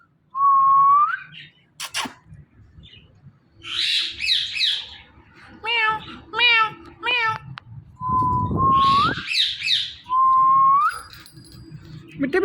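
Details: Pet Indian ringneck parrots, a male and female pair, calling in the morning on a door: upward-sliding whistles, a run of nasal mewing notes, and bursts of rough chatter, with some indoor noise.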